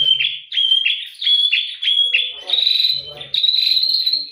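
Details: White-rumped shama in morning song, giving repeated clear whistled notes with sharp attacks, each phrase about half a second long, later shifting to steadier higher whistles.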